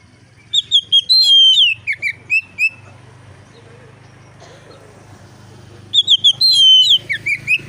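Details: Loud, easygoing singing of an oriental magpie-robin, meant to draw song from other magpie-robins. Two bursts of varied whistles and downslurred notes sit over a steady low background hum that fills the gap between them.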